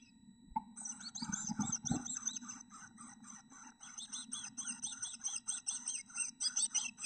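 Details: Two chickadee nestlings growing up inside a bird house give a dense, busy chorus of high, twittering, buzzy notes. Scraping and bumping sounds open the sequence, then the calls run fast and uneven under a low hum.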